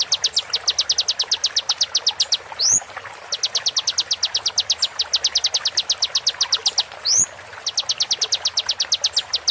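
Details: Konin song meant for tutoring other songbirds, taken from a genuine konin: long trains of quick, bright, high chips in steady rhythm, each train ending in a rising whistled slur, repeating about every four to five seconds over quiet background hiss.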